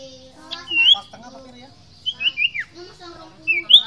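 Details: Sirtu, the common iora, sings bright rising and falling whistles in short groups, with a faint human voice murmuring underneath.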